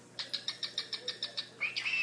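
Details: A pet cockatiel named Tweety, talking to two other birds and known to say "pretty tweety" and cackle, gives a quick run of nine scratchy chirps, about seven per second, then a brief high whistle.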